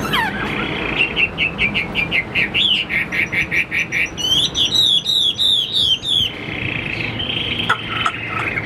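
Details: Chinese hwamei, a caged bird not yet fully conditioned, sings runs of rapid repeated whistled notes, about three per second and accelerating, then high looping slurred phrases and a softer warbling close, with low hum throughout.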